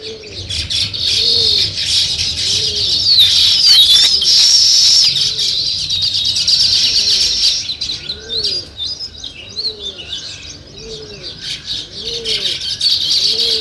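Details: Sparrow chatter, identified as weaver birds, opens as a thick, high twittering chorus, then thins to scattered chirps. Rhythmic low cooing notes repeat roughly every second through the later part.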